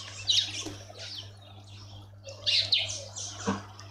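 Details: Karoo thrush at a raised bird bath in a suburban garden in Pretoria, South Africa: two clusters of high, sharp chirps and short twittering notes a couple of seconds apart, over a steady low electrical hum.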